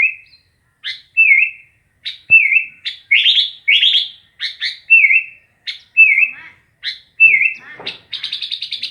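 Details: Sooty-headed bulbul singing: short sharp chirps alternate with clear whistled notes that dip and level off, about one phrase per second, ending in a fast buzzy rattle of repeated notes.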